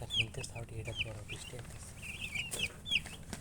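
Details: Chicks peeping with sparse high descending cheeps spaced irregularly, over a background of low murmuring noise and faint knocks.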